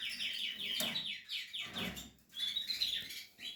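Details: Portuguese harlequin canary building a nest: a quick series of descending slurred notes repeated in a rhythmic roll, a brief lull, then sharp high whistled trills.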